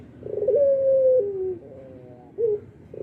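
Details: Albino Barbary dove, an active caller heard morning, noon and night, giving one drawn-out coo held level before dropping to a lower tone, then a brief rising note, over a faint low background hum.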